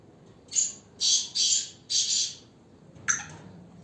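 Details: Captive black francolin of Ghanghas Tloori mix breed giving a harsh, rasping call of four hoarse bursts, with the last two closely joined, followed by a sharp short click-like note.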